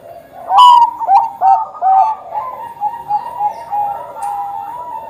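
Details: Zebra dove of the Bangkok type in strong song, a sharp opening note then a run of short coos settling into a steady, gently pulsing tone, played to coax young doves into singing.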